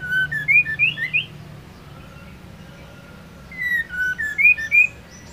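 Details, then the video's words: Female white-rumped shama singing to rouse a male: two bursts of clear whistled notes, quick rising and falling slurs, separated by a quiet gap of about two seconds. "Murai batu betina gacor untuk pendongrak emosi jantan agar gacor"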